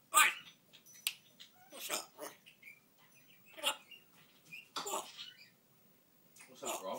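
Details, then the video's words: Talking African grey parrot mimicking human phrases, with raspy speech-like syllables in uneven bursts, a few thin whistled tones between them, and a loud sharp squeak at the start. "African grey parrot Ronnie talking"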